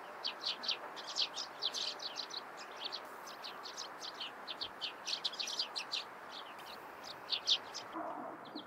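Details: Morning calls of Eurasian tree sparrows: a lively stream of sharp, high chirps, several birds overlapping, with brief pauses and a soft hum of distant ambient noise underneath.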